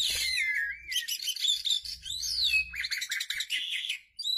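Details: An Asian pied starling being paired with a mate gives a busy run of bright whistles, slurred downward sweeps and scratchy chatter, high-pitched and nearly continuous, with a faint low hum beneath.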